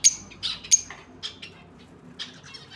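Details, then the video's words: Pair of lovebirds giving short, sharp high chirps and squeaks in scattered bursts, several loud clipped notes early, then softer twittering. "Love bird pair"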